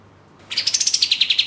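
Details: Orange-spotted bulbul, used as a lure recording for songbird contest birds: after half a second of quiet, a rapid run of about eleven bright, high, clipped notes, steady and evenly spaced, about ten per second.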